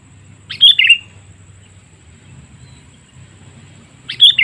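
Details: Sooty-headed bulbul call used as a lure to attract wild birds: a short bright chattering phrase, first high then dropping lower, heard twice about three and a half seconds apart over a faint low hum.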